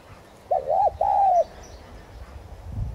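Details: Single thúc gù coo from a spotted dove (tigrina) kept as a decoy to stimulate singing: a short stuttered pair of notes followed by a longer, gently falling hoot, low and mellow.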